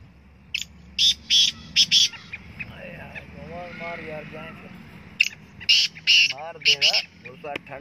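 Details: Black francolin calling from the top of a rock gives two harsh, grating phrases of four clipped, high notes each, while men talk quietly in the background.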